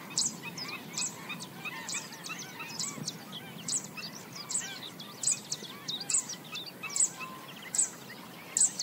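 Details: Black-winged stilts foraging along the banks of a swamp give sharp, high yapping notes about once a second, over a busy chatter of other wetland birds and steady background hiss.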